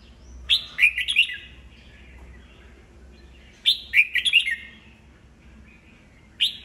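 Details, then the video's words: Old wild-caught red-whiskered bulbul singing to stir rival birds into song contests: short bursts of bright, warbled whistles, each phrase a quick run of four or five notes, repeated after a pause of about three seconds. "Chào mào già rừng bọng cực hay, siêu kích bổi, bổi nghe là hót đấu"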